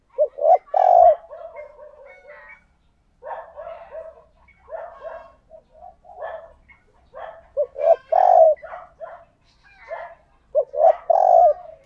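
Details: Spotted dove kept as a decoy, cooing to attract other doves: repeated low phrases of short notes ending in a fuller coo, several times over, with softer overlapping calls between.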